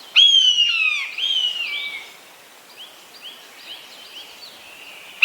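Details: Common buzzard calling two drawn-out, descending mewing cries in quick succession, clear and ringing, followed by a series of soft, short repeated notes from another bird in the background.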